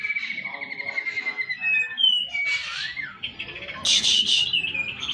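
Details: White-rumped shama song full of varied fill-in phrases: a long, level, slightly wavering whistle, then swooping notes and bursts of higher, buzzy phrasing, with some background noise.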